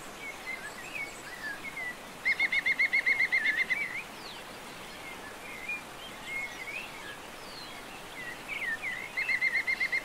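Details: European green woodpecker in the mountains of León, Spain, in January 2022: a fast, ringing series of about a dozen even, laughing notes, repeated near the end, over soft chirps from other birds.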